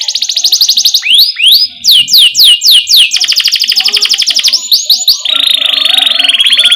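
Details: Canary tutor song for young canaries: a high chirping trill, then loud swooping whistles in series, a rolling trill of short notes and a lower steady buzzy trill.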